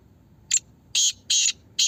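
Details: Black francolin, known locally as Kala Teetar, in a voice competition: a short sharp note followed by long, buzzy, grating rasps in quick succession, loud and coarse.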